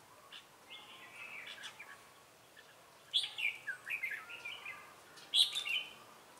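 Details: Red-whiskered bulbul decoy singing "ché" to draw wild birds during trapping, Bình Phước, Vietnam, 25 June 2018. Soft distant warbles, then a loud run of cheerful slurred whistles and a final bright phrase near the end.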